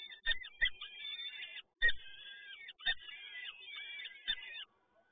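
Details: Peregrine falcon chicks being fed at the PGE Toruń nest in Poland, 30 April 2022: repeated harsh, wavering begging cries in bursts of about one second, separated by brief pauses and low knocks, in an enclosed space.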